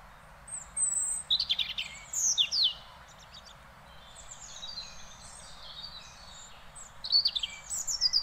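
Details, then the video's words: European robin song from the Netherlands: tumbling cascades of very high, thin notes sliding down in pitch, delivered in quick bursts, with a quiet spell in the middle before a final twittering phrase. "One Hour Relaxing Birdsong: European Robin"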